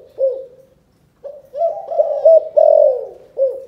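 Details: Spotted dove from Cần Thơ, Vietnam, calling in the chụp chụp ô style: a short coo, a brief pause, then a run of rolling, throaty notes ending in a long loud coo and a final short hoot.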